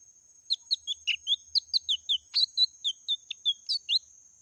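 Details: Lesser green leafbird singing in the continuous meratoh style: a lively string of short, sharp whistled and chirpy notes, roughly four per second, with a steady thin high whine in the background.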